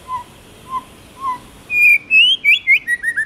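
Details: Tamed white-rumped shama singing in the wild-forest style: three soft low whistles spaced about half a second apart, then a rush of loud, clear, rising and falling whistled notes, quickening toward the end.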